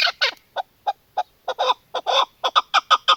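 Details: Female chukar partridge calling in short clucks, starting with a few rough notes and speeding into tighter, brighter, more ringing chuck notes toward the end.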